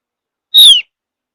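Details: Lone bright downslurred whistle from a Javan grey-throated white-eye, a mountain forest bird said to get other birds singing along; silence before and after.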